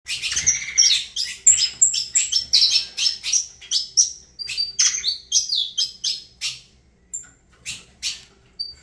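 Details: Saffron finch song: a long run of sharp, high chirps and short whistled slurs delivered in quick bursts of roughly one to two notes per second, loud and bright throughout, with only a faint low hum beneath.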